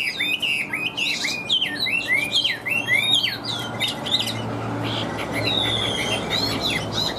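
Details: Chinese hwamei singing continuously with an even voice: a quick chain of looping whistled notes for four seconds, then longer, higher drawn-out whistles over a low hum.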